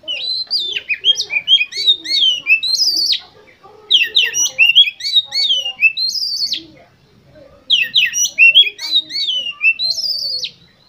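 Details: Oriental magpie-robin song played as a lure to get competition birds singing: three loud, varied phrases of rapid whistles and sharp chirps, each around three seconds long, separated by short pauses, with faint lower chatter underneath.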